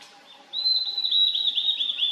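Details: Wild Blue-and-white Flycatcher in a valley, 2023, giving a sudden loud steady whistle that runs into rapid rolling slurs and buzzy downward flicks at the close.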